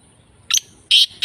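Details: Black francolin (kala teetar) near Sukkur, Pakistan, gives three harsh, grating, high notes in quick succession, the second and third louder and longer, over a quiet background.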